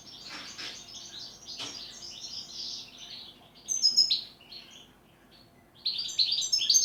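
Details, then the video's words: Goldfinch in pletivo ziju u ziju stanka song style: soft, rustling twitter at first, then sharp bright phrases, a pause, and a final rapid burst of high, tinkling notes. "Štiglić, Grdelin, češljugar PLETIVO ZIJU U ZIJU STANKA"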